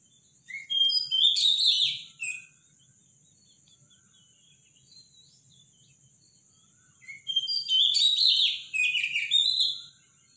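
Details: Robin in morning song: two bursts of bright, high, jumbled twittering, each about two seconds long, separated by a silent pause of several seconds. A steady faint high tone continues throughout.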